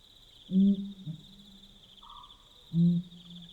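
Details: Pel's fishing owl calling at night along the Limpopo River in Botswana: a deep, booming hoot followed by a shorter grunt, repeated about two seconds later, over a steady high cricket trill.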